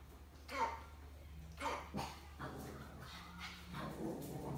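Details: Pet African grey parrot imitating a dog's bark, which it also calls by name: short harsh bark-like bursts near half a second, one and a half and two seconds, then softer throaty calls, over a steady low hum.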